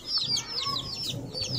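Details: Baby chicks playing, giving a few clear, high, downward-sweeping peeps in quick succession over a low background rumble.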